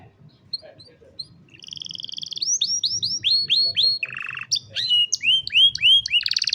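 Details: Canary song for young canary training, phone-recorded: soft scattered chips build into a buzzy double-toned roll, arched whistled notes repeated in series, a low rattling burst and fast high chirps, growing louder toward the end.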